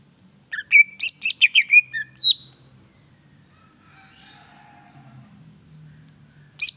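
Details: Greater green leafbird song used as a lure to excite other leafbirds: a burst of rapid, piercing, mixed whistles and chips lasting about two seconds, then near silence with a faint warble and one final sharp note.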